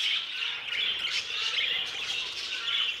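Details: Aviary budgerigars giving a loud, continuous run of high grating squawks and chirps, the flock calling over one another.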